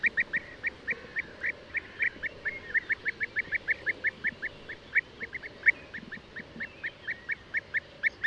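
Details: European bee-eater producing regular short, burry notes at a brisk even pace throughout, with a soft low murmur underneath.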